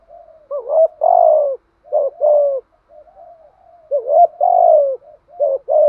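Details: Spotted dove giving close, loud 'thúc gù' coos intended to make a nervous newly caught dove sing along: soft low purring notes lead into bouncing two-part phrases ending in long falling coos, repeated without pause.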